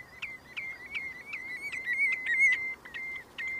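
Common redshank giving a rapid series of clear, piping whistled notes, about three a second, held on one high pitch with slight ringing overtones.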